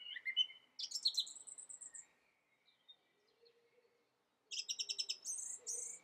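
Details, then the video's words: Song thrush song in bursts: a whistled phrase, then a run of high chattering notes with a long sustained whistle, a quiet pause with faint distant twitters, then another rapid repeated high phrase ending in thin whistles. "The song thrush – Turdus philomelos"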